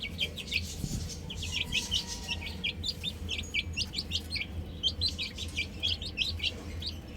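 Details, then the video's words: Young chickens on a roof keep up rapid, high-pitched peeping, each note short and dropping in pitch, steady for the whole stretch over a low background hum. "Adorable Chicks Chirping Sounds"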